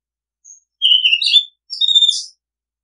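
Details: Oriental magpie-robin singing rich warbled phrases, a faint high note, then two loud bursts of rapid varied whistles, the second ending in a long steady high tone.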